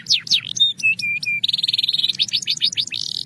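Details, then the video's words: Belgian canary song from a canary training track: a few looping whistles, flat sustained notes, a rapid pulsed roll, then brisk rising chips ending in a buzzy trill. "Belgian Canary Singing Therapy – Calm & Clear Tones"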